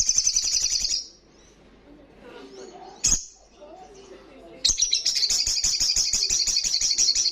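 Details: Olive-backed sunbird in loud ngalas-style song: a fast, buzzy, high trill of rapid repeated notes, breaking off after a second, a single sharp chip, then resuming the rapid trill strongly. Faint low murmuring in the background.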